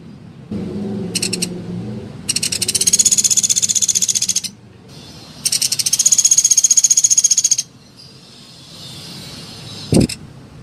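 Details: Rufous piculet calling, used to stimulate other piculets to call: a brief high rattle, then two long fast pulsed trills of about two seconds each, followed by a single sharp knock against soft background noise.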